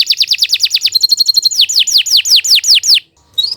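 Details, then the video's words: Vigorous canary song for tutoring young birds: quick rising-falling chirps, then a tight, ringing trill, then slower loud downward-slurred whistles, a short silence and a final upward note. "Kicau Burung Kenari II GACOR PANJANG"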